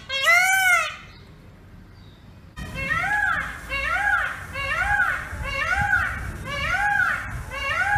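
Indian peafowl: a loud wailing cry, a pause, then about seven ringing rise-and-fall calls, one every three quarters of a second, over steady background noise.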